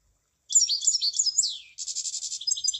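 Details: Munia singing a twittering phrase of high, slurred chirps that ends in a falling note. After a very short pause comes a rapid, even buzzy trill of closely spaced high notes.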